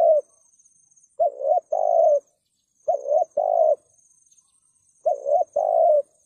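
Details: Spotted dove (cu gáy) giving its coo to provoke rival males: low hooting phrases of a short note and a longer note, repeated three times about every two seconds, in near silence with a faint high insect-like buzz.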